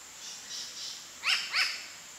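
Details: A New Caledonian crow gives two quick, harsh, arched alarm calls about a third of a second apart, with faint hissy sounds before them, while showing vigilance behaviour and beak-wiping.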